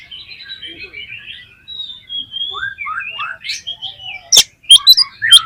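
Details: Oriental magpie-robin song used to stimulate other magpie-robins into full song. Thin whistles and rising slurred notes, then crisp loud chirps and clicks near the end.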